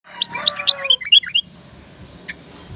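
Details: Tame sooty-headed bulbul in rapid 'ropel' song style: a quick run of bright, liquid whistled notes, some rising and some falling, over about a second and a half, then near silence with one faint later note.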